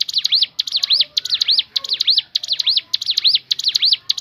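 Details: Natural variation song of the Crescent-chested babbler (ciblek gunung): fast, high whistled notes bending down and back up, clustered in twos and threes and repeated continuously at an even pace.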